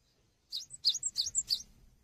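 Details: Short, somewhat softer phrase of cinereous tit (gelatik batu) song for training songbirds: about six rapid high chirps alternating in pitch, lasting around one second, against a faint low background rumble.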